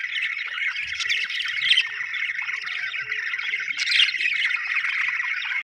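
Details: Budgerigar chatter, a constant, grainy warble with rising squeaky bursts, ending abruptly.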